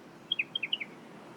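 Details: Striated pardalote on Bribie Island, Australia, in treetops searching for insects, gives its repetitive call: three quick pairs of high, sharp notes, each pair stepping downward, all within half a second, over a soft background hiss.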